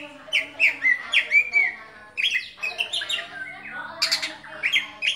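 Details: Singing caged oriental magpie-robin, a competition songbird: rich, fluty whistles that rise and fall, followed by scratchy chattering phrases and a loud, harsh burst near the end.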